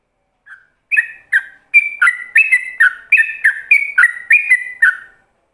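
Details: Yellow-vented bulbul singing in the ropelan style, meant as a master song for other bulbuls. One soft note, then a quick run of rich whistled notes that alternate high and low, over three a second, in clean quiet surroundings.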